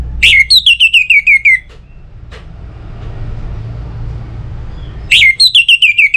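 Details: Orange-headed thrush singing, played to encourage other birds to sing: two bursts of rapid, ringing whistled notes, each slurring slightly downward, separated by about three seconds of low background rumble and a faint click.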